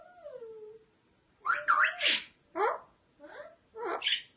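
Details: Parrot talking and making sounds: a low, wavering voice-like tone opens, followed by loud harsh chattering syllables in quick irregular bursts.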